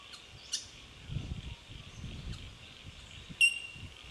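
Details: Bell miners in Victoria, Australia, March 2011: faint high ringing background with one clear bell-like ping near the end, partly masked by low rumbling and handling noise.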